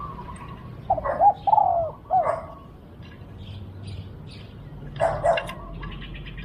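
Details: Spotted dove calling in a decoy session set up to lure a wild dove in Thailand. Mellow rounded coos come in a quick group of three, then a pause, then another coo, over a soft background hum with faint chirps.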